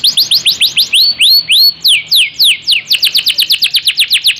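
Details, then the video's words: Canary in full continuous song, used as a tutor recording for training other birds: rapid series of rising sweeping whistles, about four per second, slowing into longer upslurred notes mid-phrase, then speeding into a quick trill. "Kenari 'Asuhan Rembulan ' Gacor durasi panjang untuk masteran."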